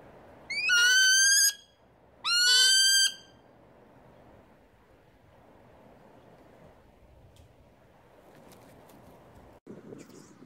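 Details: New Zealand falcon at Wingspan near Rotorua, New Zealand, in October 2016: two loud, harsh, drawn-out screaming calls, each about a second long, then quiet background with faint knocks.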